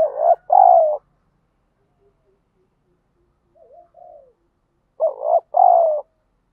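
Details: Spotted dove call for provoking fights and training a decoy bird: a loud two-part hoarse coo, then a soft faint coo answering from farther off, then the loud two-part coo again about five seconds later.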